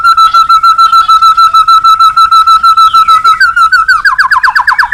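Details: White-rumped shama singing to call a rival, used as a lure: a long steady pulsing whistle held at one pitch, about three pulses per second, then breaking into a quick rising-and-falling rattled trill.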